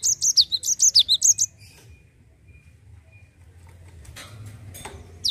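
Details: Rapid 'ngerol' song of a Java sparrow, aimed at getting birds in training to sing: about a dozen high, chipping notes over one and a half seconds, then quiet with faint rustling and a final note.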